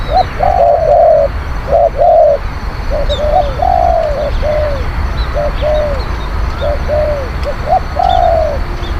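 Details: Decoy spotted dove cooing to lure wild birds, a fierce, eloquent caller: a long string of low hollow coos in clustered phrases, short paired notes leading into longer falling ones, steady low rumble behind.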